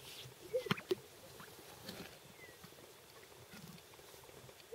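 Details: Greater sage-grouse in Wasatch County, Utah, on April 29, 2013: two hollow, low popping notes close together near the start and another at the end, faint against a quiet open-country background with soft rustling.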